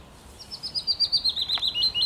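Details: Willow warbler song recorded 17 May 2021: a soft, sweet cascade of about a dozen high whistled notes, descending gently in pitch and ending with a brief flourish; quiet background.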